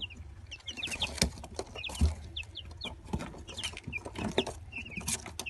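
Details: Twenty-day-old Gold Brahma and village chicks calling together, a scatter of high thin peeps from several birds amid thumps and clatter, over a low steady hum.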